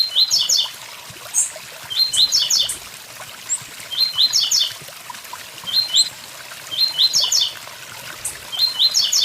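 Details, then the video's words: Blue-black grassquit repeating its short song beside a waterfall: a compact burst of sharp high buzzy zigzag notes roughly every two seconds, five times, with thin ticks between and continuous rushing water behind. "Tiziu tui tui zel zel"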